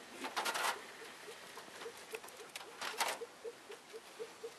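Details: Female Elliot's pheasant just arrived, giving a steady series of short, low, soft clucks about every quarter second, interrupted by bursts of rustling and knocking sounds.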